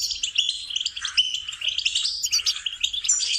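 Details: Short goldfinch training song, a rapid, tinkling jumble of high chirps and liquid trills that flows on without stopping.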